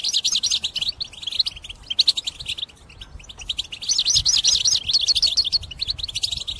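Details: Intense European goldfinch song meant for trapping: a long rapid twittering of high liquid chirps with bursts of bouncing, wavering notes, a short lull near the middle, then renewed fast chatter.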